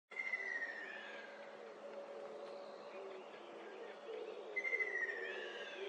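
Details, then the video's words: Ruddy kingfisher calling twice, each a clear descending whistled trill lasting under a second, about four seconds apart, over a steady low hum and faint background buzz. "호반새 소리"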